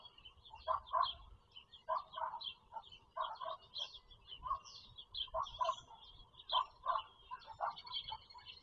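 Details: Bald eagle nest with four eaglets in Pennsylvania farm country, April 2022: repeated clusters of two or three short squeaky chirps about every second and a half, with high twittering notes over steady low background noise.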